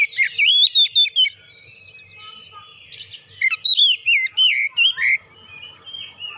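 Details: Oriental magpie-robin song used as a lure to set other magpie-robins singing: loud whistled phrases with sliding and bending notes, two bursts split by a quiet gap, with a faint low hum beneath.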